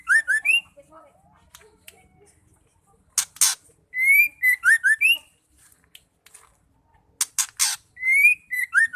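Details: A female white-rumped shama gives calls meant to set males singing: short slurred whistles alternate with harsh broad-band rasps, the whistled phrase recurring about every four seconds in a quiet setting.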